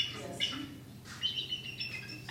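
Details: The real call of a bald eagle, not the red-tailed hawk scream often substituted in films: thin, high, squeaky chirps in quick uneven bursts, weaker than its size suggests, with faint talking underneath.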